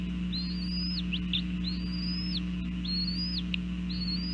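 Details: Bald eagles at a nest in northeast Florida, filmed by a nest camera on 5 January 2014 at 8:20 am during breakfast; thin, high, whistled arching notes repeated roughly every second, over a steady low electrical hum.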